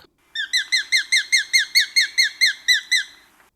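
A Sharp-shinned Hawk gives a rapid series of about a dozen high, slightly down-slurred kek notes, five per second, steady and clear with no other sounds.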